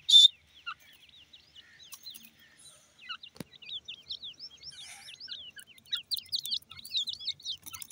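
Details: Francolin chicks giving many soft, high, down-slurred peeping notes in quick succession, growing busier and louder toward the end, with one brief sharp louder note at the start.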